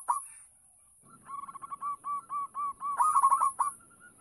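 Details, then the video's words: Local zebra dove singing energetically, song used to draw other doves: an opening coo, then a steady string of rounded notes speeding into a loud rolling trill, over low murmuring background. "Perkutut lokal gacor - RAJA PANCINGAN"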